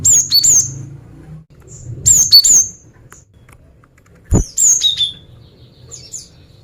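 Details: Female cinereous tit calling males with three phrases of high whistled notes, each falling stepwise, separated by a second or two of quiet, with a single sharp knock midway.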